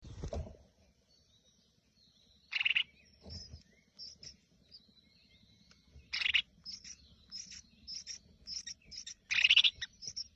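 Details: Freshly hatched Crested Finchbill chicks in their nest being fed by their mother: three loud harsh, hissing begging bursts spaced a few seconds apart, with soft high chirps between them and a low steady hum.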